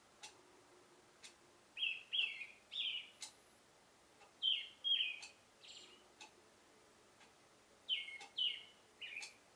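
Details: Oriental reed warbler singing its love song from a cherry tree in the morning: harsh, grating chattering phrases repeated in bursts of two or three, separated by short pauses, with faint clicks between.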